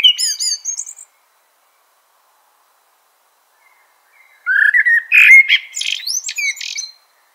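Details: Common blackbird song: a high squeaky twitter fades out, then after a pause a rich fluted warble rises into scratchy, high-pitched twittering notes.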